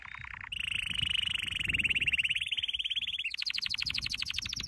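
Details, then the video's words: Training song of a canary: a short soft trill, then a long, fast, steady roll of notes that climbs slightly and switches into a higher, rapid trill. "Your canary will NEVER STOP SINGING With this training song"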